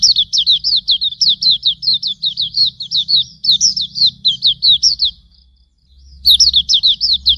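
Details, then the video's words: Hume's white-eye, pleci auriventer, tutor song: loud, fast chain of high descending chirps for about five seconds, a short gap, then another run, over a low rumbling background. "Masteran Suara Burung Pleci Auriventer"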